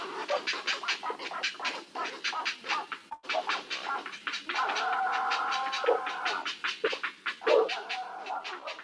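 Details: Great blue herons at a Maine nest colony: young giving a fast, dry chattering of rapid harsh pulses, broken by a drawn-out, howling moan as adults greet each other at the nest; dogs bark in the background.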